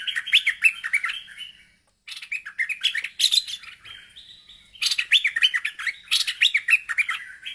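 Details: Bulbul worked up and calling to challenge a rival: dense, rapid chattering phrases of bubbling, up-and-down notes, one brief silence, then more continuous excited chatter.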